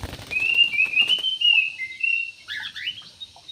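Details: Yellow-vented bulbul in an aviary, singing a bubbly run of slurred whistled notes that rise and fall, with a brief lower broken flourish near the end. Light rustling and flapping sounds are heard at the start.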